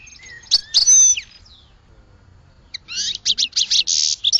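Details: Goldfinch singing: a few sharp, descending chirps and a thin whistle, then a brief pause, then a fast run of bright, tinkling twitters.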